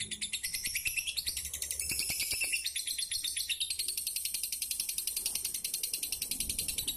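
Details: Kept lovebird, a contest fighter bird from Pemalang, Central Java, Indonesia, delivering dense high-pitched chattering: rapid buzzy, squeaky notes in a continuous stream of fast repeated pulses for the whole stretch.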